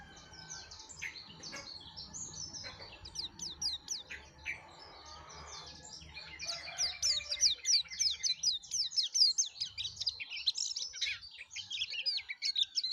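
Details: Yellow-breasted white-eye in full energetic song, a rapid run of high twittering and warbled notes that grows louder and denser in the second half, with faint background noise.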